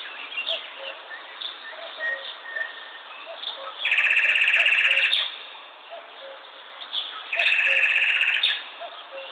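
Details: Chirping bird giving two long, loud buzzy trills about four seconds apart, each lasting over a second, with soft scattered chirps in between.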